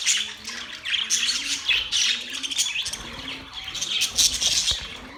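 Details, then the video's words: Budgies singing mating sounds: busy scratchy warbling with high chirps, over faint soft low notes that gently rise and fall. "Budgies singing | Budgies mating sounds | Budgies chirping sounds"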